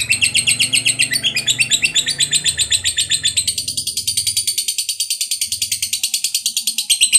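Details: Fighter-type lovebird giving a long 'ngekek' chatter, used as a lure to get other lovebirds singing: rapid, shrill, buzzy notes about four per second, running unbroken and climbing slightly higher midway, with a faint low hum early on.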